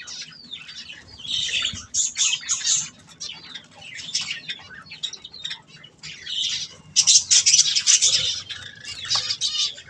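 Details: Several colourful pet budgerigars eating softfood, a busy mix of high squawks, chirps and warbling chatter in overlapping bursts, with occasional wing flutters.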